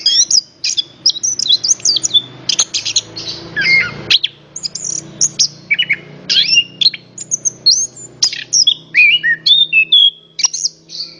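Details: An orange-headed thrush sings continuously to prompt other birds: a long string of varied sweet whistles, twittering runs and downward slurs, delivered in rapid bursts over a faint low hum.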